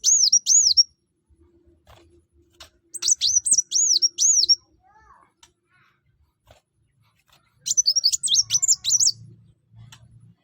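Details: Sunbird, locally called kuwul, kolibri wulung or mucang, singing actively: three bursts of high, thin, rapidly repeated whistled notes that dip and rise, each burst about one to one and a half seconds, separated by quiet gaps.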